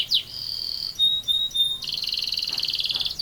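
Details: Canary singing actively in a long rolling song: a high sweeping whistle, a sustained bright note, short clipped notes, then a fast buzzy rolling trill held for over a second.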